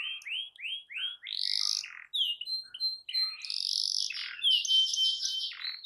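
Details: Canary singing in a lively master-song recording meant to stimulate a silent canary to sing: series of rising whistled notes repeated rapidly, then buzzy sustained trills and bright high phrases, loud and continuous.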